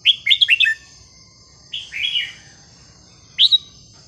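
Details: Red-whiskered bulbul song used to teach young birds: a fast string of four clear slurred whistles, a longer wavering whistle, then a short two-note call, over a steady high whine.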